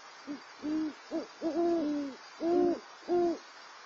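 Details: Two wild great horned owls, thought to be a mating pair, calling to each other at an owl pad in San Diego on 18 January 2022: deep, soft hoots in short bursts, some paired and overlapping, with quiet gaps between.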